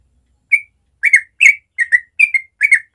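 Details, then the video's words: A yellow-vented bulbul sings its natural morning ropel song, a lively sequence of whistled notes in slurred pairs, one about every half second, clean and uninterrupted. "Masteran Trucuk ropel suara alami pagi hari"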